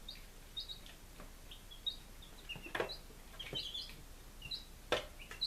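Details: Chicks aged five days in Lunenburg, Massachusetts, 23 July 2017: high falling peeps from several birds in quick runs, with occasional loud clicks and thumps.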